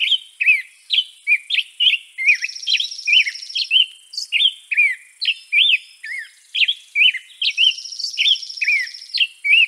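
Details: European robin delivering a dense, lively series of thin, high chirped notes with swooping inflections, nearly continuous throughout, as a high pulsing trill joins briefly twice.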